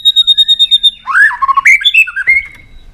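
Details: White-rumped shama song used to stir another shama into contest singing; a tail-flicking bird gives a quick series of about ten clipped high notes, then a run of varied whistled and slurred phrases.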